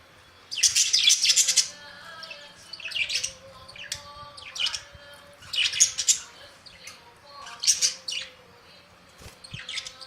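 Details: Budgerigar giving bursts of high, scratchy chirping chatter, about five loud clusters spread over ten seconds with softer twitters between, over a faint steady low hum.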